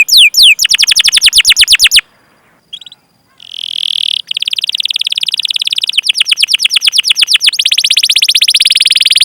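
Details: Canary 'cuit cuit' chirps and rolls to prompt other canaries: slurred notes and a quick trill, a short pause, then a buzzy sustained tone leading into a long, even rolling trill.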